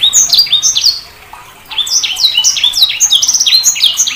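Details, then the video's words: Sanger bird giving repeated downslurred whistled chirps, roughly three per second, in two phrases separated by a brief pause. "Suara Burung SANGER"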